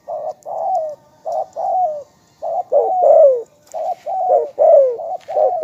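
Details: Spotted dove giving a rapid, almost continuous run of short cooing notes, some with rising-then-falling sweeps, rough and wavering in tone, over about six seconds.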